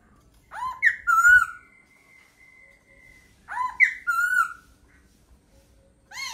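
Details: Laughingthrush singing: loud slurred whistled phrases that sweep down then level off, given in two bursts about three seconds apart, with a thin steady tone held between them and a quiet room behind.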